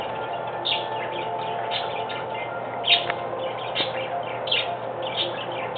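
Budgerigars chirp and warble in quick, scratchy bursts over a steady background hum.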